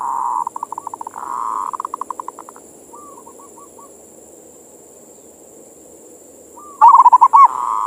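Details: Local zebra dove (perkutut) giving its manggung cooing song, used as bait to stir other doves into singing and passion: bursts of rapid rolling coos, then softer trilled coo phrases, with a steady high electronic whine throughout.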